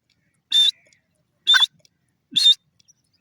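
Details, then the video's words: Grey francolin, known locally as Sindhi teetar: loud, harsh, high-pitched notes about 0.2 seconds long, repeated roughly once a second, with faint softer clicks between them. "sindhi teeter ki awaz,gray francolin bird sound"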